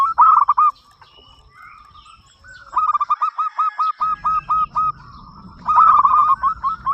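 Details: Local zebra dove with a big voice, singing to invite other doves to call: stuttering phrases of short cooing notes near one pitch, three bursts separated by quiet gaps, faint chirps of other birds and low rumble behind.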